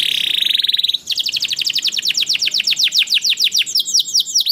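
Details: Canary singing, used as a lure to get other canaries to sing quickly: a rapid, steady high trill for one second, then a long series of sharp, descending chip notes delivered very quickly and evenly.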